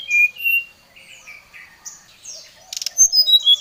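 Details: Brown-chested jungle flycatcher singing to provoke a rival: a few loud clear whistled notes open, softer twitters and slurred notes follow, then a quick burst of short notes and high whistles close it, with a brief click.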